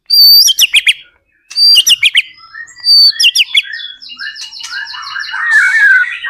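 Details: White-rumped shama song meant to set other shamas singing in reply: three sharp phrases of a high whistle dropping into rapid clicking notes, then a softer chattering run of fast repeated notes with rising whistled tones.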